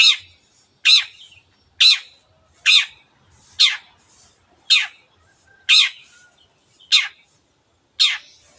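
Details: Long-tailed shrike 'teot teot' song, used to provoke other birds into singing: nine rasping, downslurred notes repeated at a steady pace of roughly one per second.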